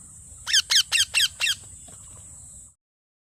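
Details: A parrot chirps five times in quick succession, each note harsh and squeaky with a slight downward slide, followed by quiet hiss.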